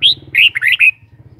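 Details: Kept red-whiskered bulbul singing a lively warbled phrase: a clear rising whistle, a short pause, then three or four quick bubbly, slurred notes. A low mechanical hum runs underneath throughout.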